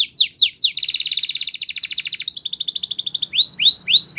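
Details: Spanish Timbrado canary training song with a few rising swoops, then a fast dense trill, a rattling roll, and clear upswept whistles at the end.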